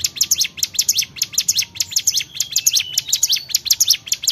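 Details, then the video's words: Energetic Bar-winged prinia song of fast, piercing, high chips and slurred notes in dense clusters, with a short thin whistle woven in midway through the run. "CIGUN GACOR"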